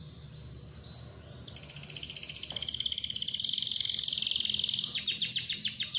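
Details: Canary song used as a lure to set other canaries singing: a faint high twittering, then a loud, rapid, sustained high trill from halfway in, ending in quick descending chopped notes, over light background noise.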